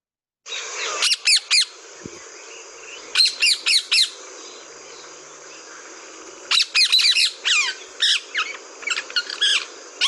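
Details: Rose-ringed parakeet (Psittacula krameri), screeching call.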